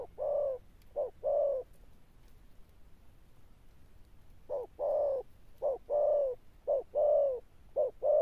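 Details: Sấm Thổ style cooing from a wild-caught Spotted dove. Pairs of deep notes, short then long, open the sequence, and after a pause of about two seconds the coos resume in a faster run.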